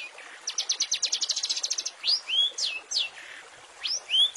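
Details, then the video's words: Long-tailed shrike master song with rich fill-in phrases, meant for training caged songbirds such as the white-rumped shama: a rapid run of about fifteen sharp high notes, then slurred rising and falling whistles in separate strokes. "Masteran Cendet full isian mewah"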